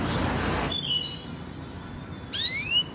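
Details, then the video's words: Singing canary gives a brief high whistle, then bright rising whistled sweeps, after an opening burst of rushing noise. "MASTERAN 1 JAM KENARI PAUD DAN KENARI MACET"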